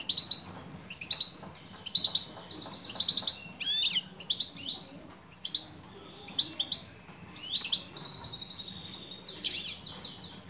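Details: Female European goldfinch calling to draw a male: a continuous stream of high, liquid chirps and twitters, some notes sliding upward, with brief pauses between bursts and a soft hum underneath.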